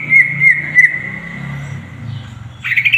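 A greater green leafbird gives a long, steady high whistle with three quick flicks near the start, then a sudden rising burst of scratchy notes, over a low hum.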